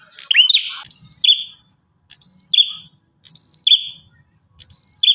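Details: Bar-winged prinia call intended to prompt answers from other prinias: four phrases, each a high whistled note stepping down to a lower buzzy note, separated by short silences, with faint low thumps underneath.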